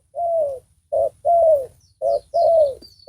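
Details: Spotted dove lured by a decoy bird: clean, soft mid-pitched coos, a short note followed by a longer falling one, repeated twice, with faint low rumbling behind.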